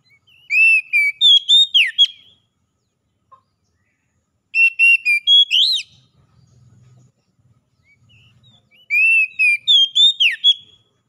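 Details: Oriental magpie-robin song meant to help captive birds recover and sing: the same loud whistled phrase of about eight notes with a swooping drop, repeated three times about every four seconds with silence between.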